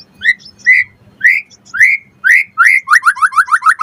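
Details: White-rumped shama song to lure rivals: slow rising slurred whistles gathering into a quick run of upward-swept notes, over a faint steady low hum.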